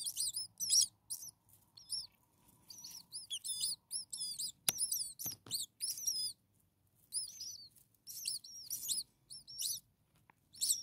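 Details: Brood of six hungry starling chicks only a few days old begging in their nest: rapid high-pitched squeaky chirps in uneven bursts, several voices overlapping, separated by short silences, with a sharp knock midway.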